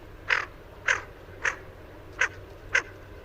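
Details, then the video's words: Greater Scaup hen giving her generic quack, five short, harsh, raspy quacks about every half second, over a low background hum; the recording was presented as male courtship, but the hen is thought more likely. "So, I'm pretty sure that would just be the hen calling in her her kind of more generic quack."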